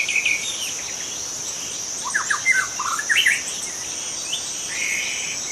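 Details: Young wild white-rumped shama in forest giving a few brief clusters of quick, sliding whistled notes between quieter gaps, a steady high-pitched insect hum running throughout.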